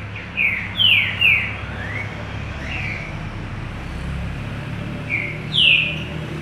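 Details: Green-winged saltator (trinca-ferro) singing: short loud whistled slurred notes, mostly descending, in a quick burst of three, then two more after a pause, over steady low traffic rumble.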